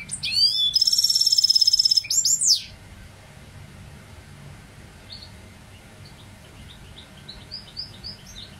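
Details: Goldfinch hybrid song phrase: an opening whistle followed by a harsh buzzing rattle lasting about two seconds. After that only soft, distant twittering notes are heard.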